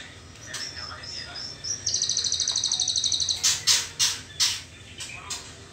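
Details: Juvenile white-rumped shama in trotol plumage stage, ahead of the pastol stage: thin high whistled notes first, then a steady buzzy trill of about fifteen quick pulses, ending in loud sharp clicks.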